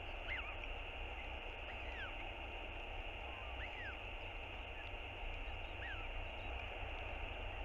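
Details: A northern royal albatross chick begs repeatedly from its father for food on a nest cam, 7 March 2022. Several short downward-curving squeaky whistles come at uneven intervals through a steady rush of wind.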